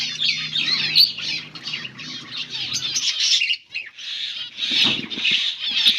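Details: Several finches chirping while eating green food, recorded August 17, 2024; dense overlapping high chirps and twittering, with a brief pause past the middle, then renewed busy chatter.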